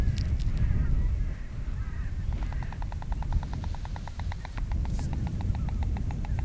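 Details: A white stork, just back from its wintering grounds, lands in the floodplain of the Lower Oder Valley National Park, Uckermark, Germany, and bill-clatters in territorial display: a rapid, even train of dry wooden knocks, about three or four per second, over low wind.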